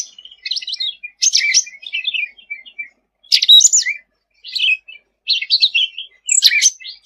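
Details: Sooty-headed bulbul in lively 'gacor' song: short chattering phrases of harsh, buzzy notes and slurred high whistles, separated by brief pauses about every second, with a loud burst near three and a half seconds.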